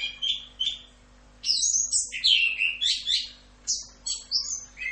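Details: Orange-headed thrush, full rock'n roll tutor recording: two short whistled notes, a pause, then a loud tumbling stream of varied high warbles, squeaks and slurred whistles, with a low hum and slight background hiss.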